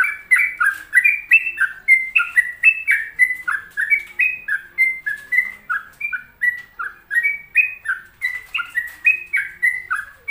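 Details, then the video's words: Sooty-headed bulbul in lively, nonstop 'gacor' song: a rapid chain of short, bright whistled notes alternating up and down in pitch, about three to four per second, steady for ten seconds. "Pokoknya Cari Trucuk yang Gacor"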